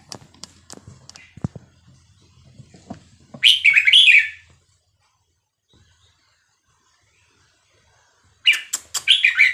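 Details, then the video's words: Red-whiskered bulbul, Vietnamese type, caged, singing for teaching young birds and exciting them: scattered clicks and knocks at first, then two loud rich chattering phrases about five seconds apart. "นกกรงหัวจุกเวียดนาม 3-4-5-6-7 เปิดสอนลูกนก เปิดยั้วนกฟังนกคึก"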